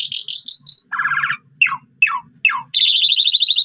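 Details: Lively Asian pied starling in a training recording full of imitations: a high buzzy trill, a rasping rattle, three sharp downslurred whistles, then a long grating buzz.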